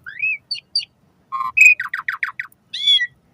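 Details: Asian pied starling song played to stimulate caged starlings, morning and evening. A rising whistle, short high chirps, a nasal note, then a rapid run of harsh descending buzzy notes, ending in a rich harmonic squawk.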